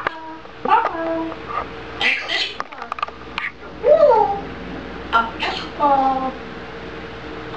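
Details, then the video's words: Czech-speaking grey parrot indoors, uttering a string of short word-like sounds and sliding whistled syllables at an irregular pace, with clicks between phrases. "Mluvící žako ( Talking grey parrot - Czech )"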